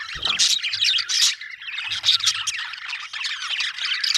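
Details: Happy budgerigar chirping: dense, rapid high warbling chatter with squeaky notes, briefly dipping in volume mid-clip, plus a few low thumps near the start.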